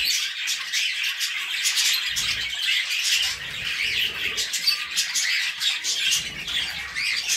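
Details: Budgerigars, kept with cockatiels, chatter continuously in a raspy, squeaky warble broken by sharper squawk-like chirps, many voices overlapping, with occasional soft low knocks in the background.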